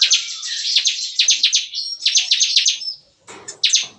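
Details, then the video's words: Bar-winged prinia in a breeder's aviary cage, singing in the morning with a rapid, gunfire-like chatter: loud high buzzy notes in quick rattling series, then a short pause and a few final bursts. "Nembak-nembak! Kicauan CiKris Pagi Hari"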